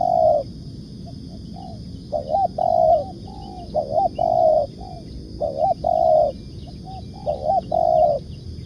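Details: Lure recording of spotted dove 'nekan' cooing: soft low coo phrases repeated roughly every one and a half seconds, each a brief warbled lead-in and a drawn-out even note, against constant low-pitched noise.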